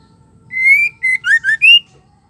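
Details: A female white-rumped shama gives a short whistled phrase to provoke males: a long rising whistle, then three quick slurred notes and a final upward-sweeping whistle.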